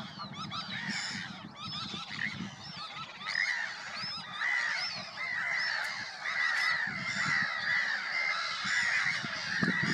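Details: Several Sandwich terns call together at Påarp, Halmstad, Sweden, on 9 July 2024. Hoarse, grating notes are repeated about once a second and overlap constantly, with soft low rumbling underneath.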